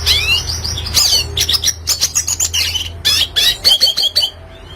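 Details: Red siskin in lively song, used as tutor material to prompt cage birds into singing; rapid chattering phrases of high, wavering whistles and sharp chips run almost without pause over a faint background hum.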